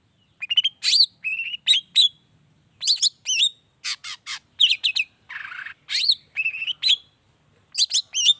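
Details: Long-tailed shrike (cendet) in gacor form, 'toet toet' lure variation for setting other shrikes singing: quick sequences of clear rising whistles, harsh chatters and one broad buzzy rasp, delivered in short lively bursts.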